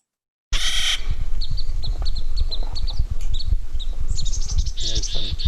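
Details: Clark's Nutcracker gives a harsh, grating, buzzy call at the start and again near the end, described as sounding like speech, with thin high chirps between and a low room rumble.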